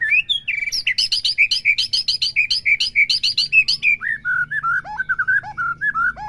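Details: White-rumped shama singing, a recording meant to provoke a caged bird to sing: a quick run of sharp high chips and whistles that slows into lower, drawn-out slurred whistled phrases.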